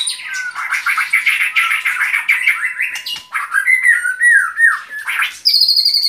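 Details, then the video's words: White-rumped shama in long rich song: rapid warbling chatter, then clear slurred whistles dipping and rising, ending with a high sustained note, over a faint steady hum. "Relaksasi suara Burung Murai Batu"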